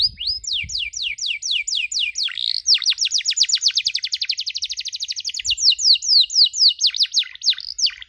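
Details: Canary training recording for youngsters learning chirps: slurred descending whistles accelerating into a long dense trill, then slowing again into spaced sweeping notes, clean and unaccompanied.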